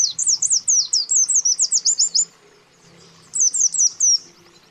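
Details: White-eye lure recording of male and female calling a rival, meant to provoke aggressive birds and attract wild ones: rapid high, sharp chirps in two bursts, about four per second, with a short pause between bursts.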